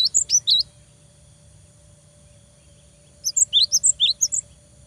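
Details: Cinereous tit singing vigorously to provoke a rival into answering: a short burst of piercing high notes, a three-second pause, then a longer run of sharp chirps stepping up and down in pitch.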